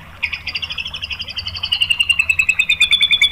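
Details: White-rumped shama song played as a lure to provoke other shamas into singing: a fast, steady series of sharp, clipped notes, the pace quickening and the notes growing louder and ringing toward the end.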